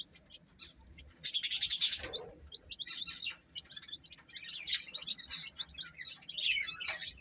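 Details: Baby chicks feeding, steady rapid peeps about three or four per second, broken by a loud hissing burst near the start, then continued overlapping chirping.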